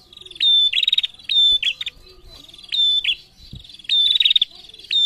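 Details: Female prinia calling frequently in reply to males: a thin, high, level whistle running straight into a short buzzy rattle, given in three bursts spaced about one to two seconds apart, with quieter chirping between them.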